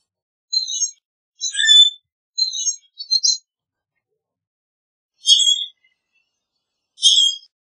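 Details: Common grackle giving a run of short, high, rasping chirps and squeaks in quick succession, then two louder squeaky notes after a pause.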